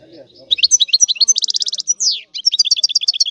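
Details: Goldfinch song, European species: brisk series of bright, pulsed trills and tinkling notes, including a rising then falling slurred whistle near the middle, delivered almost without pause.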